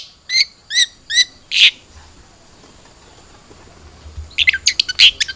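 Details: Lure recording of a long-tailed shrike (cendet trotol), meant to prompt a caged bird to sing: four evenly spaced, high buzzy chirps, a pause of about two seconds, then a fast cluster of sharp notes.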